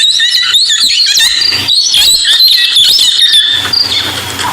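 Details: Parrot call played back at sunset on 13 March 2022 while listening for parrots near a dam: rapid, very high-pitched squeaks and shrill chatter, several notes a second, with a faint low hum toward the end.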